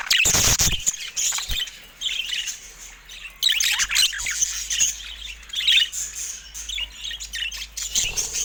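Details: Several budgerigars in a cage go after a camera, giving a continuous high, scratchy warble of chirps and short squawks, opened by a loud burst of tapping and knocking close to the microphone.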